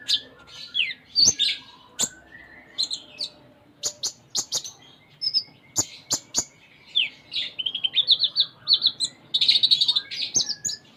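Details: Sunda minivet (konin) in a long full isian performance: sharp clicks, high chirps and buzzy notes that build into a fast, dense chattering trill of high notes toward the end.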